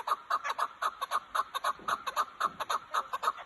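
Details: Chukar partridge of Kazakhstan, praised as a fine dumastaka: repeated clucking chuk-chuk notes in quick regular succession, about two a second, some doubled, over a quiet background.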